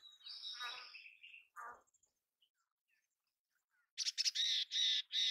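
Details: Mountain chickadee: a long, scratchy, harmonic note slides downward, followed by a short burst. After a pause come five harsh, buzzy notes in quick succession, each about a quarter second long.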